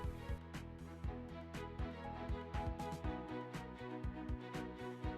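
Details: Rhythmic instrumental music with a steady beat about four times per second fills the whole recording, with no animal sounds.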